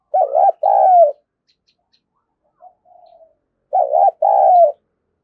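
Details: Spotted dove giving its luring call to attract wild birds: two paired coo phrases, wavering then drawn-out and falling, separated by a pause holding a faint soft note.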